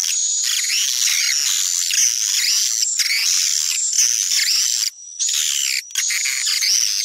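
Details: Sumatran swiftlet-attracting call: steady high whistled tone layered over thick, rapid twittering and swooping chirps, nearly continuous with two brief pauses near the end.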